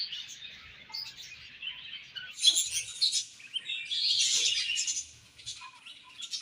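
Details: Morning chirping from a colony of budgerigars, a busy layered chatter of high twittering and scratchy warbles, swelling into louder bursts midway and again later.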